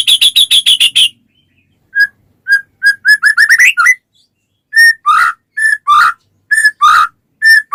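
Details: White-rumped shama singing, used to prompt other shamas into song: a burst of rapid harmonic notes, then a pause, then clear whistled notes near one pitch, a quick rising run, and loud slurred downward whistles repeated with short gaps.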